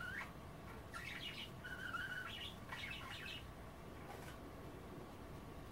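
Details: Budgerigars nibbling rehydrating kale at bath time, not bathing, chatter in warbling whistled phrases with slurred rising and falling notes and a brief steady tone, fading toward the end against low room hum.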